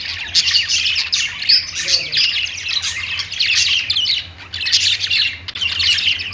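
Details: Perched pet budgies in steady chatter: jumbled twittering, buzzy squawks and short whistles overlapping continuously, a brief lull around four and a half seconds.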